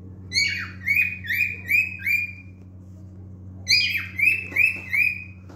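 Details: Song of a male cockatiel, two bursts of repeated whistled phrases, four to five in quick succession each, bright and slightly warbling, separated by a short pause, over a low room hum.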